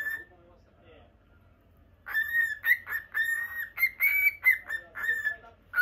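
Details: After two seconds of near silence, a lutino pet cockatiel breaks into a steady string of clear whistled notes at one even pitch, rising slightly toward the middle, each note short and closely spaced.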